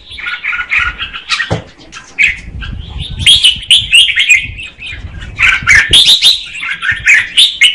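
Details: Female red-whiskered bulbul singing to stimulate the male; broken warbled phrases of slurred notes with a pause in the middle, accompanied by low thumps and rustling like wing flapping or cage movement.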